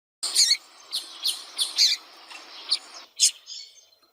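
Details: Female rusty-collared seedeater calling to stir a quiet male into song; a string of high, thin chirps and squeaky notes, irregularly spaced about every half second.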